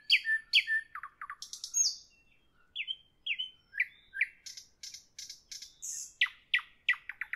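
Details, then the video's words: Nightingale singing in the evening: loud clipped whistles, then quick falling notes repeated in short series, rising sharp phrases and a bright high whistle, rich varied phrasing with brief pauses, no other sounds. "Evening nightingale, nightingale song"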